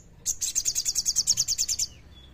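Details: Common iora song in the kleper style, played as a lure for quiet birds: one unbroken, very fast, high chattering trill of around fifteen evenly spaced notes over roughly a second and a half, with a quiet background.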